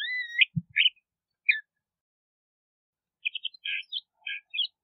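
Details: LeConte's thrasher song in two bursts: a long looping whistle with a few chirpy notes, then a pause of nearly two seconds, then a quick cluster of short burry phrases.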